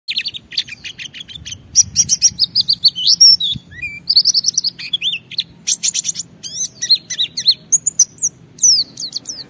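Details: White-eye singing vigorously, played to stimulate other white-eyes to respond and sing: rapid high twittering bursts of thin chirps, buzzy trills and short whistled slurs, tumbling in quick irregular phrases with brief pauses and a faint low hum.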